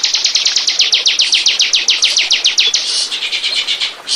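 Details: Bar-winged prinia song used as a lure recording to attract birds: a fast series of sharp, high, buzzy chip notes, about four per second, running for three seconds, then looser, blurred notes and a brief final burst.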